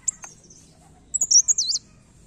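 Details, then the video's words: A blerengan described as newly "ngombyok" yet already in full song gives thin, very high chirps, then a quick half-second burst of sweeping, twittering notes. "Burung Blerengan Baru Ngombyok Langsung Gacor"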